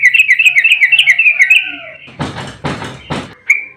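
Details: Sooty-headed bulbul fighting song meant to provoke other birds: a fast run of rippling chirps for about two seconds, followed by three loud thumps or knocks and a final chirp.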